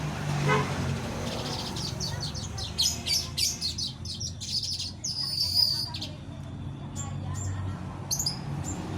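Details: Female weaver in a small aviary calling the male: bursts of sharp, high chattering chips in quick irregular runs, over a steady low hum of background noise.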